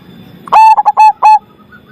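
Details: A big-voiced zebra dove gives one crisp phrase of five coos, two brief clipped notes squeezed between a sharp opener and two longer even-pitched coos, over a low background murmur.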